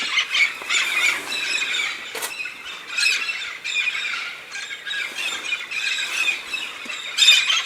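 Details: Large flock of red-spectacled parrots migrating to the Santa Catarina highlands, southern Brazil, to eat pinhão; a noisy chorus of rough squawks and screeches coming in uneven waves, with a few nearer, louder calls.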